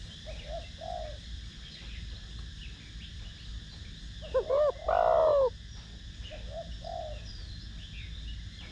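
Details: Cooing spotted dove of the 'thổ đồng' voice type, played to rouse other doves: soft paired murmurs before and after a single louder phrase of two short notes and a drawn-out falling coo, with faint distant bird chirps.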